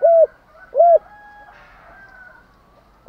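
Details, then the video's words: Spotted dove cooing as a morning lure to provoke other doves. Two short, rounded hollow coos, a pause, then the start of another note. A faint thin tone runs behind. "chim cu gáy mồi thúc đấu và gáy gọi bổi buổi sáng, cu đất gáy giọng hay kích boi"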